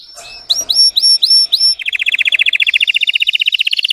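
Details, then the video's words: Red Belgian canary singing for training, deep intense throaty song: a run of about six clear rising-then-flat whistled notes, then a fast rolling trill of rapid repeated buzzy notes, many per second. "Canário belga vermelho canta muito gargata profunda e intensa para treinar"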